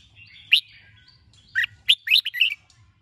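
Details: Training recording of a red-whiskered bulbul's morning chè song: one sharp note, a pause, then a lively run of four or five bubbly slurred chirps, over a low background hum.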